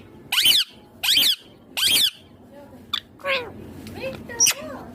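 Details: Talking pet green Indian ringneck parakeet, three shrill, squeaky speech-like bursts in a row, then softer lower mumbled syllables, in a small indoor room.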